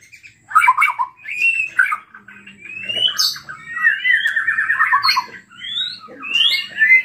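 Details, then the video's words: White-rumped shama in full, energetic song, used as a lure to provoke other shamas into singing: loud, varied phrases of rich whistles, rapid trills and buzzy notes, some sliding upward, tumbling one after another with brief pauses; no other sounds. "PANCINGAN MURAI BATU GACOR EMOSI SEKALI DENGAR BONGKAR ISIAN"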